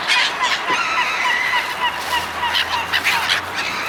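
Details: Seagulls gathered while people feed them, calling in a noisy mix of harsh, nasal honking cries and higher squawks, several birds overlapping in quick succession.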